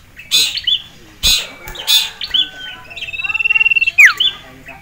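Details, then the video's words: Male sirtu kept in a cage, stirred up by a rival male and a female, utters loud harsh bursts, short whistles, then a fast buzzy pulsed trill and a sharp descending note. "CIPOW Ngamuk Melihat SIRTU JANTAN Dan Betina"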